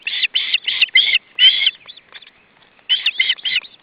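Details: Osprey at its nest as fish is brought for supper, July 2012: loud bursts of sharp, high chirping calls in quick series of four, a short pause with soft notes, then three more chirps.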